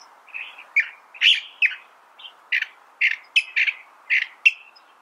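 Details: California thrasher delivering separate emphatic phrases about every third of a second, alternating rich warbled notes with brief harsh accents, evenly paced and loud.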